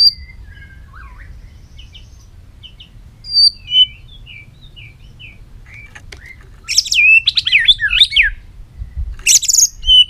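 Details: White-rumped shama in long-string, many-voiced song. Sparse soft whistles and slurred notes are followed by harsh, buzzy rapid bursts near the end.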